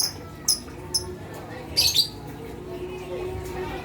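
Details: Lovebird calling meant to stir mute lovebirds into noisy calling: two short high chirps, then a denser, harsher double burst, with a low background hum throughout.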